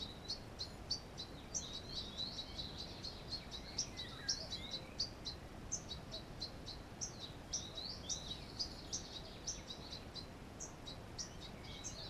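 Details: At a wild song thrush nest placed in a hollow, June 2015, a fast stream of high, thin, sharp chirps continues without a break against a constant hissing background.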